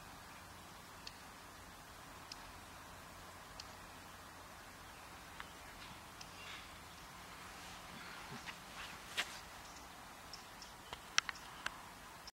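A female black redstart gives short, dry ticking calls about every second or two, then a few sharper high clicks near the end, over a soft outdoor hiss.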